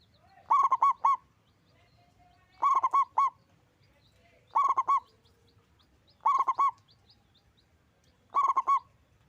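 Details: A local zebra dove with a loud, big voice gives quick staccato coo phrases of three or four rolling notes, repeated about every two seconds, over a faint low rumble.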